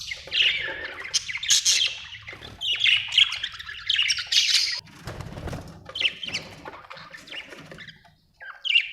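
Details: Budgie chirping with scratchy warbles and harsh squawks, some brief rustling or wing sounds mid-way, ending in a short high chirp after a pause.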